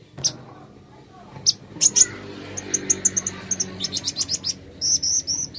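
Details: Plain flowerpecker (kolibri ninja) song used as therapy to get birds singing: scattered very high ticks, then an accelerating run of thin chips and short double whistled notes, over a low hum.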